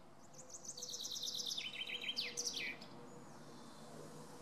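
A male common chaffinch sings one bright two-second phrase: a rattling series of notes stepping down in pitch, ending in a quick flourish, over faint rural background.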